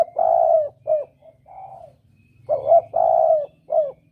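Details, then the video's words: Clear spotted dove lure call in the double-kuk style: a long coo and short note, soft fragments, then a phrase of two quick notes, a long coo and a closing note, over a low hum. "Suara pancingan Tekukur || suara pikat tekukur || mp3 suara tekukur jernih"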